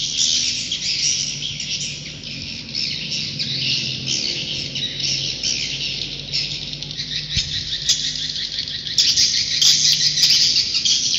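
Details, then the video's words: Swiftlet roosting call as a thick, high chatter of overlapping chirps and twitters, steady throughout, with a low mechanical hum underneath and one sharp click. "Suara Inap Walet Terbaik"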